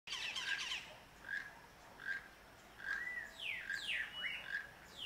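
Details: A toucan singing at Las Vegas, Santa Barbara, near Santa Barbara mountain, gives a harsh opening squawk, then short grating calls and sharp descending squeaks, roughly one every second, with no other clear sounds.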